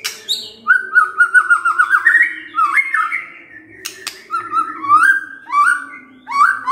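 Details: White-rumped shama (murai batu) lure song with varied repertoire. Repeated short whistled notes build into rising, looping phrases, ending in strong upward-swept whistles.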